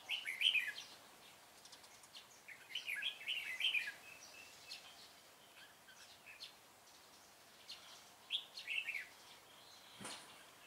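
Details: Red-whiskered bulbul used as a decoy at a trap in Vietnam on 25 April 2017, singing a fighting song: two bursts of quick rising and falling warbled phrases, then a sharp knock near the end.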